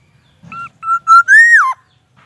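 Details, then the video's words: Captive black-naped oriole, kept and sunned in the morning, giving a fluty whistled phrase: two short level notes, then longer notes gliding upward and swooping sharply down at the end, clear against silence. "Kepodang gacor full isian murai batu"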